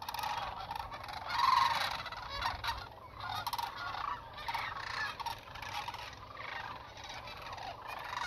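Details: Sandhill crane flock calling continuously during 2021 migration through south central Nebraska, about 30 m away: many overlapping rolling, trumpeting rattles swelling and fading every second or two, no other clear sound.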